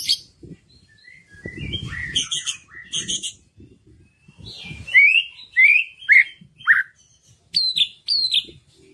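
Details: White-rumped shama song played to stimulate other birds to sing: scratchy buzzy notes and clicks at first, then loud clear whistles rising and falling, repeated in separate phrases roughly every half second.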